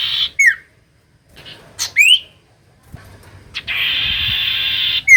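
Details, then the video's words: Common iora song used to coax reluctant birds to sing: scattered falling and rising whistled notes, separated by stretches of loud steady hiss. "Pancingan Cipoh Gacor‼️Paling Manjur Burung Cipoh Malas Bunyi Langsung Nyaut"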